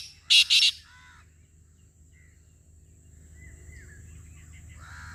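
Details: Black francolin (Francolinus francolinus) gives two loud, harsh, grating notes in quick succession, then quiet with faint chirps from other small birds.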